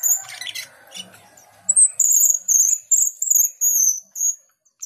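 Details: Asian pied starling giving sustained very high thin whistles in a repeated series after a jumble of rougher notes at the start.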